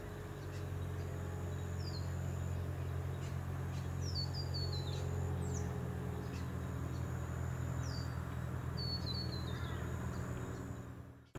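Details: Juvenile New Holland honeyeater on the Sunshine Coast, Queensland, in July 2020, giving thin, high, descending chips in short clustered runs over a steady low rumble of distant traffic.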